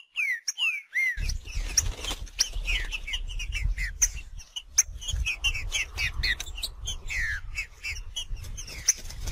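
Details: Wild green-winged saltator in macheando song: a few clear downslurred whistles, then a dense run of rapid chirps, clicks and short slurred notes, over a steady low rumble.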